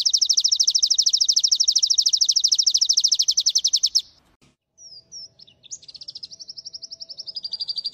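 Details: White-eye of the G12/G16 contest class, recorded as training material with dominant, long-shooting delivery: a long fast high trill, a pause, then slurred whistles leading into a steadier rapid high trill, with a faint low steady hum beneath.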